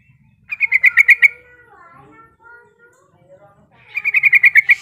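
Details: Yellow-vented bulbul calling to challenge rivals and lure other bulbuls into calling: a rapid run of bright, bubbly chirps, then softer lower warbled notes, then another fast burst of chirps at the end.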